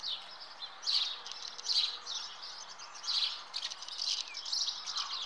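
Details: House martins at their nest give high, buzzy chirps in short bursts, clustered about every second, over a light hiss of background noise.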